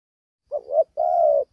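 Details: Young spotted dove, its neck collar not yet complete, fighting as keenly as an old bird: a mellow two-part coo, a short wavering note followed by a longer steady one, in a quiet room.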